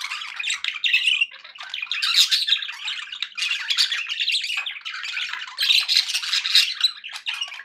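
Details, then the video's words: Pet budgerigars making happy sounds, a constant buzzy mix of chirps, squeaks and warbled notes that rises and falls in loud bursts. "happy budgie sounds"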